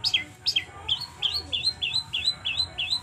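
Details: Long-tailed shrike in the trotol song style, used as a lure to make a captive shrike sing. A series of sharp, whistled notes that slide downward, repeated about three times a second, with faint background hum.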